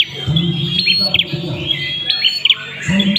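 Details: Ashy prinia singing: short bright chirps and quick upward-flicked notes, high and thin, over a low murmur of human voices.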